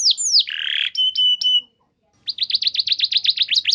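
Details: Canary singing a training lure song: a few quick downslurs and a buzzy rattle, flat piping notes, a short silence, then a rapid string of repeated chirps.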